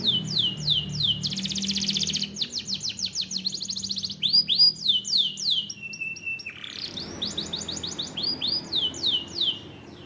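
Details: Canary singing a varied, energetic song: fast descending whistled sweeps, a dense buzzing roll, a long steady held tone, then more rapid sweeping phrases, loud and close.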